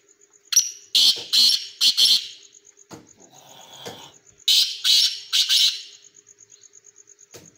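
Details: Black pheasant kept as a hobby, calling in two bouts of rough, scratchy, hissing bursts, four or five each, separated by a quieter gap with faint rustling and a steady high whine.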